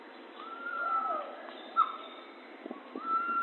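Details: Pavonine quetzal song: long clear whistles held near one pitch, a drawn-out note early, a short accent mid-clip and another long whistle at the end, over a steady low background hiss.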